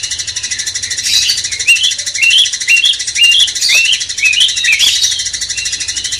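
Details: Cucak cungkok bulbul singing as a master for a magpie-robin: repeated short upslurred whistles roughly twice a second over a continuous pulsing high-pitched chorus.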